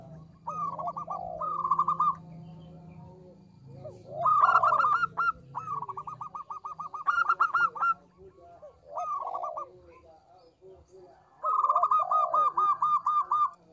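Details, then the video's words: Local zebra dove singing eagerly with a small voice, played to lure birds: repeated rattling coo phrases in bursts, some fuller and louder, with soft arching notes between them and a low hum. "PERKUTUT LOKAL GACOR suara kecil"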